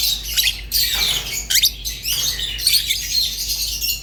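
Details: High, raspy chatter of rosy-faced and Fischer's lovebirds, with a few rising squeaks standing out from the continuous twittering song.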